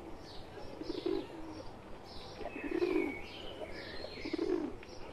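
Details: Soft, hollow cooing from pigeons, a pet one mingling with wild birds, three louder coo phrases about 1.5 seconds apart against faint chirping.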